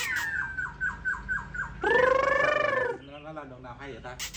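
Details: A pet black-throated laughingthrush sings and displays: a quick run of about six clear, downslurred whistles, then one loud, rich, drawn-out note and a few softer lower phrases.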